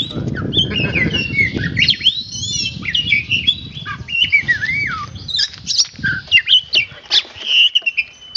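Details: Oriental magpie-robin (kacer) in practice, delivering a jumbled mix of twisting whistles, squeaks and clipped chips in irregular bursts, with rumbling background noise that eases later.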